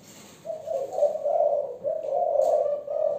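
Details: Young female spotted dove of the Malaysian type with a 'giọng thổ' voice style, giving a low, steady, rolling coo that swells and dips in short phrases, with faint background hiss.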